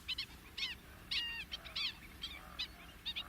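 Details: Fork-tailed drongo in its natural African habitat giving a varied, irregular medley of twangy, slurred and harsh notes, some rising and others falling, about two a second, against a steady low rumble.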